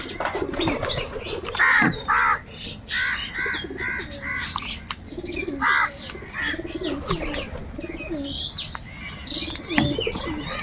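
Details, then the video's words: Several crows quarrel over food in a steady stream of harsh, overlapping caws, with thin chirps and low cooing mixed in among them. "Crow bird live crowing sounds - Angry kauwa ki awaaz | Kaka sound and noises of crow birds"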